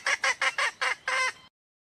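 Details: A wild red junglefowl hen gives five quick, nasal, clucking notes followed by one longer drawn-out note, all within about a second and a half.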